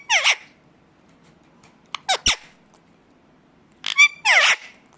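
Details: Indian ringneck parakeet giving its natural call: three short, separate bursts of sharp screeching squawks over a quiet, faintly rumbling background.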